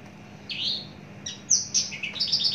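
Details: A long-kept caged Javan bush lark with a jumbo body gives a rough downslurred note, a pause, then a burst of piercing high whistles running into quick repeated chirps.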